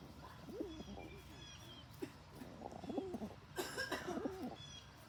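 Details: Rock pigeon bullying other pigeons, calling loudly: a run of low, rolling coos repeated quickly, with a sharp clatter partway through and thin high bird chirps in the background.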